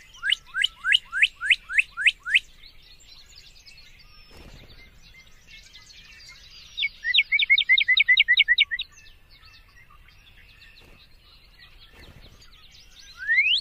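Northern Cardinal singing loud, clear slurred whistles, a run of about eight fast sweeping notes, then a second quicker series of hooked notes, with a lone rising whistle at the end.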